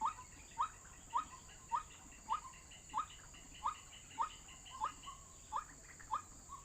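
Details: Waterhen call used as a bird-trapping lure, a monotonous series of eleven short upslurred notes at a steady pace of roughly two per second, with a constant thin high hum in the background.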